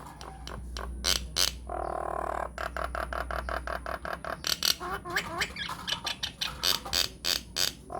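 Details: Myna song used as a lure recording to make other mynas of any kind answer: loud harsh clicks and rasping notes, a nasal drawn-out honk near the start, then rapid chattering bursts and wavering gurgles.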